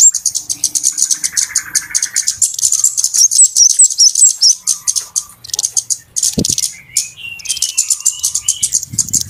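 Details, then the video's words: Noisy flowerpecker calls used to lure birds for trapping: long runs of rapid, high, sharp ticks with brief twittery whistles mixed in, a lower warbling trill, and a single low thud. "SUARA PIKAT BURUNG KEMADE RIBUT/ BURUNG CABE-CABEAN"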